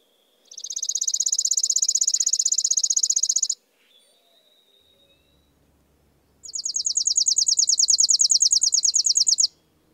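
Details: Chipping sparrow song: two dry, high, rapid trills of evenly repeated chips, each lasting about three seconds, separated by a quiet pause with a faint thin note.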